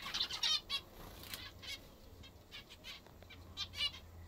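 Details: Several captive zebra finches feeding on a favourite food: brief nasal, harmonic beeps in quick pairs at the start and end, with quieter calls between and a faint low hum.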